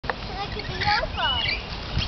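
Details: Lories being fed give short squeaky chirps and a harsh rasping screech, rising and falling over a background murmur of voices and rustling.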